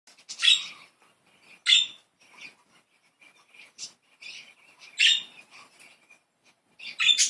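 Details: Playful pet budgerigars, several birds, giving loud harsh chirps at irregular intervals, with soft chatter and quiet warbling between them.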